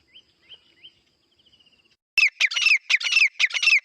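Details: Partridges fighting. A few soft, thin upslurred notes and a quiet trill come first. Then loud, harsh, ringing bursts break out in quick clusters.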